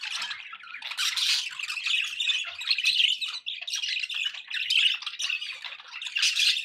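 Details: Budgerigars kept as pets chirp and warble continuously, mixing thin tweets with harsh squawky bursts; loud surges near the start and end frame a softer chattering middle.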